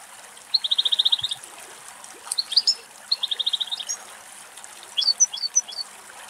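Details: Wild European goldfinches in a feeding flock on dry weeds at the edge of a farm track in Greece; fast trilled runs of about ten identical notes, then scattered bright twittering chips over faint background hiss.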